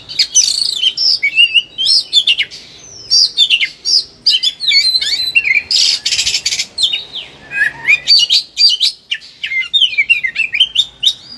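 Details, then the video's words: Oriental magpie-robin, agitated and in full song, used to stimulate other birds: long stream of varied whistles, buzzy scratchy bursts, a broad harsh rasp midway and quick slurred notes, clean background. "KACER EMOSI TINGGI BONGKAR SEGUDANG MATERI"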